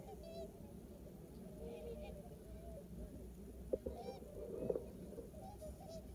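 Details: A flock of greylag geese, including one with an SN2 neck collar, feeds on harvested sugar beet in farmland at Westpolder, Groningen, Netherlands, on 6 January 2021, giving low, nasal honks over steady flock chatter, with a few louder honks near the end.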